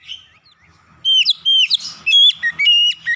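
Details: Oriental magpie-robin song meant to prompt a house bird that rarely sings. After a quiet start, strong whistled notes come in quick succession, some sliding down, others sharp and ringing, about two per second.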